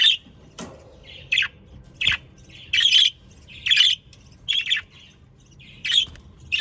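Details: Chirping Australian parakeets in captivity, South Holland, Netherlands: loud, clipped, high squawks and tweets, spaced irregularly and often paired, with a faint low hum beneath.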